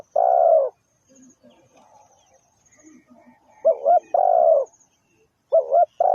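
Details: Spotted dove used as a trapping lure, giving loud cooing phrases: a short two-part coo followed by a long, slightly falling purring coo, repeated after pauses, with faint high insect buzzing behind.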